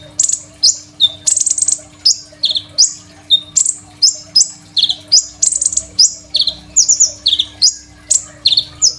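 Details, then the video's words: Crimson sunbird singing a rich, varied master song for training other songbirds, phone-recorded: rapid high, thin chips mixed with buzzy down-slurred notes and brief trilled bursts, nearly continuous, over a faint constant hum. "KOLIBRI NINJA GACOR FULL ISIAN SUPER MEWAH, 100% COCOK BUAT MASTERAN KONIN BAHAN"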